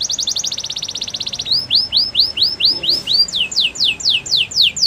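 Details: Canary training song: a rapid high rattling trill switches to slower looping upswept whistles, then to sharper falling notes, all evenly spaced, with faint background hiss.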